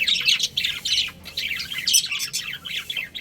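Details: Budgerigar breeding pair, pets, producing a continuous stream of loud high warbled chirps and chattering notes with short gaps.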